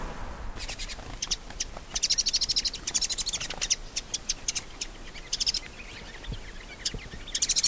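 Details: Shining sunbird (Cinnyris habessinicus) in a desert habitat of Africa or Arabia: dense bursts of high, thin chirps and ticking notes, some in fast buzzy clusters, with faint background noise throughout.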